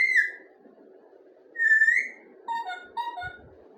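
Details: A talking parrot whistles a short bright note, a longer rising whistle, then two quick two-part whistles that step downward, over a steady low background hum.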